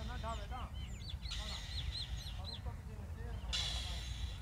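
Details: Indian robin at the nest while hungry chicks are fed: a rapid run of curved, rising-and-falling high chirps, preceded by short harmonic notes, over a steady low rumble and brief bursts of noise.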